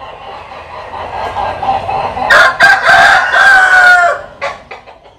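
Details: A single rooster crow, from a compilation of Vietnamese and American Sil cocks, with rough broken opening notes and a sustained harmonic middle tailing off, followed by faint short clucks.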